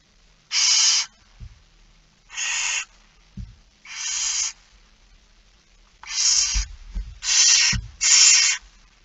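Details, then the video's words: Six rasping begging screeches from barn owls at feeding time, 06:57 on 13 September 2019, the last three close together, with knocking and shuffling thuds between calls. "Kerkuil It Fryske Gea 2019 09 13 06 57 voedering"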